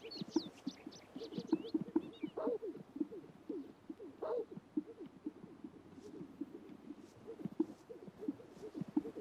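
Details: Several male Greater Sage-Grouse displaying at a traditional breeding lek in spring to impress mates and intimidate rivals: a dense chorus of low, bubbling plops and pops, sharp popping notes and a few thin whistles.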